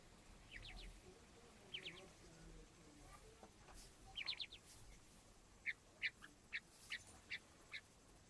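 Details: Little partridge chicks calling: several clusters of high, thin downslurred peeps, then a run of single sharp chirps repeated roughly every half second, with quiet background hiss.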